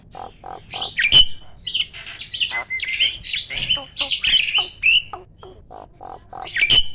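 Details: Champion kept starling in a loud, busy passage of harsh squawks and squeaky whistles, with a series of lower hollow pulsed notes repeated in between.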